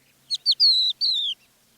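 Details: Crested lark in the Manych steppe near Divnoye, Stavropol–Kalmykia border, early morning of 21 April 2024, gives short phrases of indignation or mild alarm rather than song: two short chirps, then two longer, high, downward-sliding whistles.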